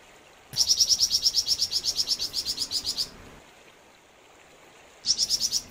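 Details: {'caption': 'Flamboyan bird singing in full voice: a fast series of high, sharp chirps repeated about six times a second for two and a half seconds, then a pause before the same chirping trill resumes.'}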